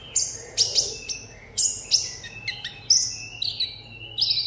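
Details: Sunbird sings solo in contest style as a kept Vietnamese seven-coloured songbird. High, sharp chipping notes come roughly twice a second, each trailing into a thin descending sweep, over a soft background hum.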